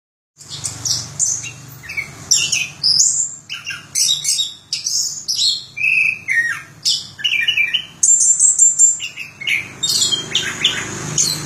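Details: Orange-headed thrush singing a rapid, varied run of high chirps, slurred whistles and buzzy notes, with a brief thin whistle near the end, over a faint low indoor hum.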